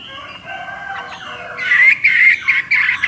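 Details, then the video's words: Chinese hwamei: soft sliding whistles at first, then loud harsh chattering notes with ringing whistled tones over the last second and a half. "Burung Hwamei Wambi NGOCEH Istimewa Gacor Suara Cristal"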